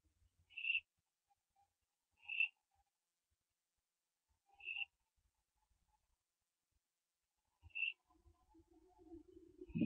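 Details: Barn owl owlets during branching, recorded at 4:07 AM on 15 September 2011; five short breathy hisses repeated roughly every two seconds, then scuffling and rustling sounds building at the end.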